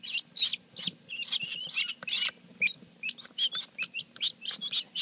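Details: Just-hatched helmeted guineafowl keets on their first day, kept indoors for about three or four months before being let out: a dense, continuous chorus of high, shrill peeps from several chicks, many bent or rising, about four per second.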